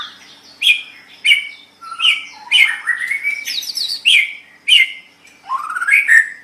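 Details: White-rumped shama song used for training other songbirds. Quick sequence of sharp chirped notes and varied rich phrases, with several long rising whistled slurs.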